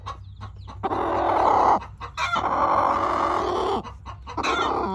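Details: Backyard chicken dust bathing, making happy sounds: long low purring, rumbling vocalisations in drawn-out phrases of about a second, separated by short pauses with faint scratching.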